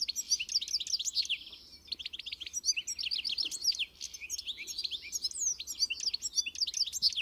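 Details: A European goldfinch pours out a lively tinkling song of quick chirps, short rattling trills and nasal buzzy notes, almost without pause and at steady strength.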